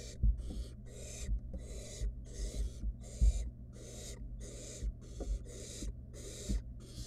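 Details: A wild barn owl chick plays with prey its mother delivered to the nest box, giving about nine harsh, snoring hisses in steady succession, punctuated by soft knocks and shuffling.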